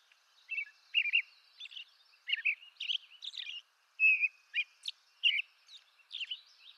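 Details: Song of an American robin, eastern North America: rich fluting phrases, some sliding downward, others with thin high squeaks, spaced roughly every half second over a faint hiss.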